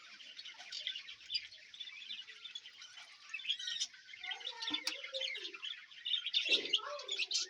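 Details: A budgerigar colony, freshly cleaned with fresh food and water, chatters without pause in high, scratchy warbles and quick chirps, with a few lower knocks and squawks toward the end.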